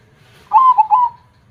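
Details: Brief loud zebra dove phrase in the big-voiced KONG style, three strong cooing notes run together within about half a second.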